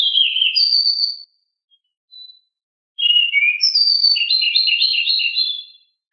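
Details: Pied bushchat (decu), described as very agile and very noisy, singing a rolling (ngeroll) song: rapid, jumbled high warbles and trills in two long bursts separated by a short pause with a brief chirp.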